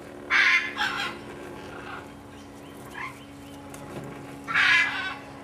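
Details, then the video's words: Parent-reared blue-headed macaws in a nestbox give harsh, raspy squawks: two close together, a quiet murmur, then another loud rasp, over a steady low mechanical hum. "Blue headed Macaws in nestbox"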